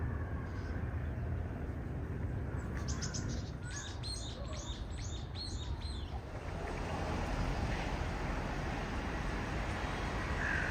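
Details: Japanese bush warbler singing an odd, unusual song, possibly a young bird still immature and practising; a quick run of about eight short, repeated high notes over three seconds, then silence, over steady low background rumble.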